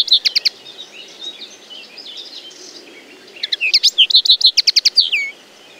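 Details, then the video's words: Common linnet song: quick runs of twittering, buzzy notes with short warbled phrases, high-pitched and varied, rushing together near the end. "The song of the Common Linnet"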